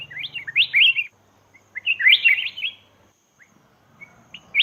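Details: Black-crested bulbul in Laos, calling as a lure for wild birds: two lively bursts of tumbling whistled notes, each about a second long, separated by a brief silence, with a faint low hum early on.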